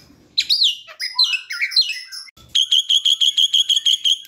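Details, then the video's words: Young Asian pied starling practising its song, used as a lure to prompt singing; scratchy swooping chatter, a brief pause, then a fast run of about twelve identical high clipped whistles. "Jalak kebo muda belajar bunyi"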